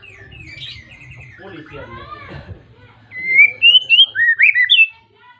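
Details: White-rumped shama calling a rival with vigorous song, used to set other shamas singing: after a quiet, murmuring start, a rapid string of loud, clear whistles rising and falling in quick succession.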